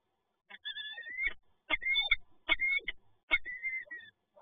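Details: Resident female peregrine falcon at PGE Toruń, Poland, seen on a monitoring camera, gives four harsh, wailing calls, each about half a second long and under a second apart. Low thumps are heard beneath them.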